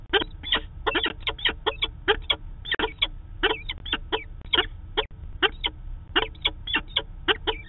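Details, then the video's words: Peregrine falcons at a Manchester, New Hampshire nest site on 2 September 2018, recorded by a live camera during the daily meeting of a pair: rapid, harsh, clipped notes in quick bursts, with a low background hum. "Peregrine Falcon - Daily meeting"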